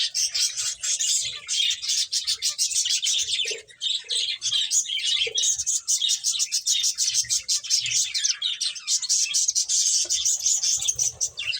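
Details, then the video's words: Several finches playing keep up steady, dense high chirping and rapid twittering throughout, with hardly any gaps and occasional soft low knocks. "Cute Birds Chirping Sounds | Beautiful Finches Playing"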